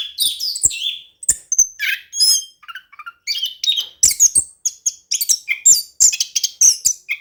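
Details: Orange-headed thrush song used as a lure to make a quiet bird sing: a rich, varied run of high whistles, slurred notes and sharp chirps, mostly very high-pitched, delivered in quick bursts with short pauses throughout.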